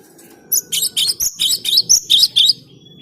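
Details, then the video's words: Cinereous tit song offered as a lure for catching birds: a fast series of about nine bright, high, sharp two-part notes, roughly four per second, with a quiet background. "Suara Gelatik Batu ini Ampuh buat Pikat"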